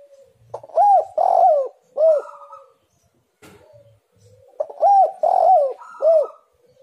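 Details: Lure recording of a spotted dove (tekukur) to draw doves into calling: two identical phrases about 3.5 seconds apart, each three loud arched hollow coos, the middle one longer and rolling, with a faint low thump between.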